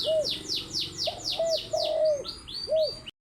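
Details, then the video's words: Spotted dove in the morning, with low rounded coos, one long and sagging, under a loud run of high, sweeping chirps from another small bird. "Burung Tekukur Gacor di Pagi hari"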